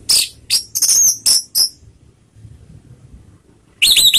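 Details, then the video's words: Lure calls of a female orange-headed thrush, meant to provoke other birds into song: a quick series of five high scratchy notes, a quiet gap, then a harsher rasping burst. "SUARA PANGGILAN ANIS MERAH || PANCINGAN bikin cepat bunyi"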